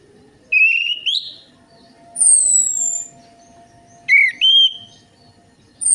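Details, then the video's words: Orange-headed thrush singing as a lure for reluctant singers: bright upslurred whistles alternate with long, high, falling whistled notes, separated by short gaps over a faint low hum. "PANCINGAN ANIS MERAH AMPUH INI, ATASI SUSAH BUNYI ANIS MERAH"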